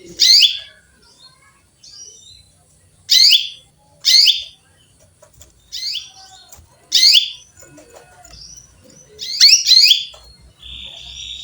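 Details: Female canary chirping to call a male: sharp, bright chirps sweeping down from high pitch, repeated every second or so in loose groups, with softer higher notes between and a quiet background.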